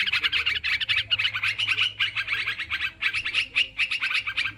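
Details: Sooty-headed bulbuls in a noisy, busy lure recording for attracting wild birds: dense, rapid chattering notes from several overlapping birds, broken by short pauses around one and three seconds.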